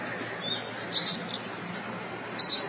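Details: Forest wagtail at Nalsarovar bird sanctuary, Gujarat, giving two short, sharp, high-pitched notes about a second and a half apart over faint background hiss.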